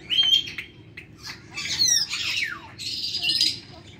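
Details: Caged Australian parrots and cockatoos at Bahawalpur Zoo, Pakistan, give harsh, scratchy squawks mixed with thin whistled notes, several calls in quick, uneven bursts over a low background hum.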